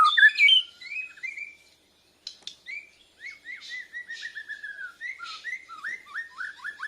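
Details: Young Bornean white-rumped shama learning continuous song, reacting to a lure recording; a loud complex opening, a brief silence, then a long even series of short down-slurred whistles, about three per second.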